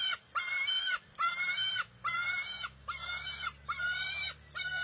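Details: Wild bald eagle eaglet fighting its mother over a fish at the nest, June 2021. Evenly spaced, rich whining cries come roughly every second, each a steady, slightly arched tone with a faint low hum underneath.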